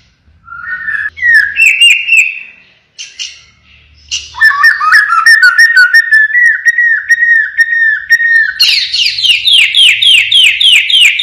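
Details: Pied 'blorok' white-rumped shama delivering 'siren shots': short rising whistles, then a long run of quickly repeated falling whistled notes, ending in a fast series of sharp, higher rising notes.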